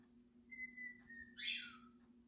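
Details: Pet pied cockatiel, a six-year-old male, singing in the morning: one long, steady, clear whistle that dips slightly before breaking into a short, harsh, raspy burst, then a faint falling note. Quiet background hum.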